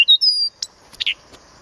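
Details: Brief Blyth's reed warbler song fragment recorded at Planta, Podlaskie, Poland: two short whistles and a long high level whistle, then a click and a rasping double note before quiet.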